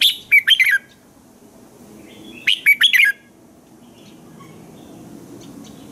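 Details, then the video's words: Morning singing of a red-whiskered bulbul, used to train other bulbuls: two quick bursts of bright, rising and falling whistled notes a couple of seconds apart, followed by quieter background noise. "Chào mào hót sáng hay - DÙNG ĐỂ LUYỆN KÍCH BỔI CĂNG HÓT"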